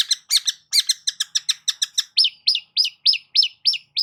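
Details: Long-tailed shrike song meant to lure a silent bird into singing: quick repeated chirps about four per second, then a series of sharp downslurred notes at a steadier pace, clean and without background sounds.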